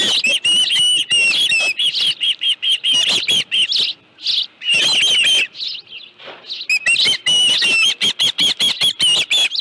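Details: At the nest with a live fish on the afternoon of 25 July 2018, an osprey gives long rapid runs of shrill whistled chirps, pausing briefly mid-sequence before resuming at the same fast pace.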